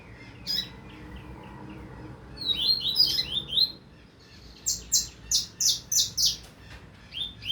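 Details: Double-collared seedeater song in the 2025 season: a faint opening note, a tumbling group of high slurred whistles, then about six evenly spaced, very high clipped notes in quick succession.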